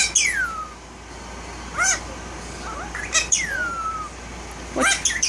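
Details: A tail-less one-year-old violet male Indian ringneck parakeet, a talking pet bird indoors; long descending whistles alternate with short harsh bursts, four or five loud sounds in close succession.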